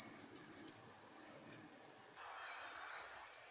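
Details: Kingfisher giving very high, shrill piping notes in a quick run of five, then two isolated whistles after a soft rustling sound.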